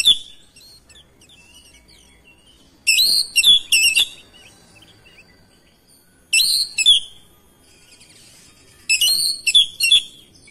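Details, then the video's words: Oriental magpie-robin singing hard in response to another magpie-robin within seconds, showing off its repertoire: three bursts of loud, rich whistled phrases with rapid stacked notes, separated by quiet pauses of about two seconds. "HITUNGAN DETIK KACER LAIN LANGSUNG RESPON IKUT GACOR NGOTOT BONGKAR ISIAN"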